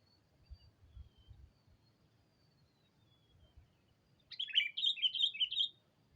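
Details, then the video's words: Sooty-headed bulbul lure call meant to draw a rival: after about four seconds of near silence with a faint thin whistle, a short burst of bubbly, warbling notes runs for over a second, with low rumble beneath. "Suara burung Pikat kutilang memanggil lawan"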